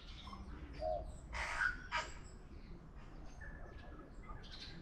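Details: Tui in Auckland, New Zealand, sings a varied run of mellow notes, a harsh wheezy burst, a sharp click and a thin whistle, over a low rumble of background noise.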